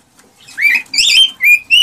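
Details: Excited male cockatiel singing to stimulate a female to mate and breed: a few clear whistled notes, the first rising then flattening, followed by a buzzy harmonic phrase and two short level whistles.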